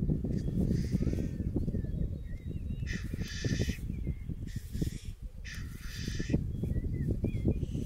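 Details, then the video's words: Black grouse (Lyrurus tetrix) males at their lekking arenas in 2023, where fierce fights precede mating. Continuous low, bubbling rookooing fills the clip, broken by two harsh hissing bursts near three and six seconds; thin whistled notes of other birds are scattered above. "Galli forcelli sulle arene di canto"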